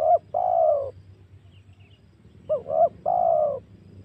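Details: Spotted dove call played as a lure to stir up and attract wild doves for hunting. Two phrases, each a quick double coo then a long mellow falling coo, with quiet between them.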